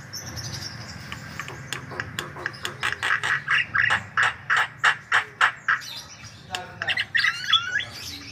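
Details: White-vented myna in lively, nonstop song, used as a lure to prompt other birds to sing: a fast train of harsh, buzzy notes, about three or four a second, ending in higher twisting whistles.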